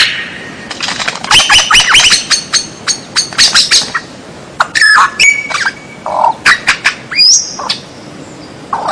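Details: Varied white-rumped shama song intended for training captive birds, with unusual sounds: rapid scratchy trills, clicks and buzzes, interspersed with short level whistles and one clear upslurred note.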